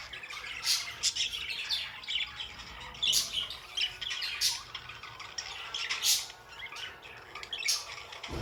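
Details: Pet budgerigars calling with busy high-pitched chirping and sharp squawky notes, several louder bursts spaced roughly a second or two apart over steady chatter.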